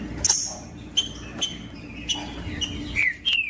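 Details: Green-winged saltator, captive, song meant to warm up cold birds for tournaments; sparse short whistled notes, a few falling slurs near the end, separated by sharp clicks and pauses, low background hum.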